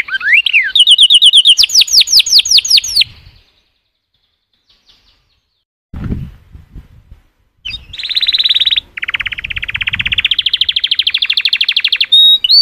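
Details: Canary gives a rising phrase and quick trill of falling notes, then falls silent with faint low noise, before resuming a long even rolling trill.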